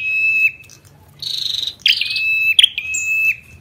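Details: Ashy tailorbird singing, with the female's calls: a long, level whistled tone, then rough buzzy bursts broken by sharp chipping notes, then another whistle.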